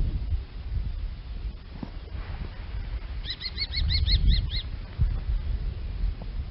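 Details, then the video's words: Kestrel calling a quick series of seven high, piercing kee notes evenly spaced over about a second, against constant low wind rumble and a few faint knocks. "kestrel, vulture, staniel sound effec"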